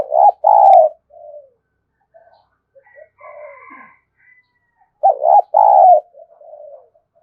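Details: Spotted dove coos used to rouse decoy birds. Loud two-part coo phrases open and close the clip, each trailing off in a softer falling note. In between, a fainter higher bird call is heard.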